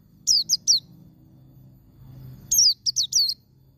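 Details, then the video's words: White-eye song in the wild-type 'ngalas' style, used to stimulate caged white-eyes: two quick bursts of three thin, high, downslurred chirps separated by a pause of nearly two seconds, over a faint low hum. "Suara Burung Pleci ngalas Nembak"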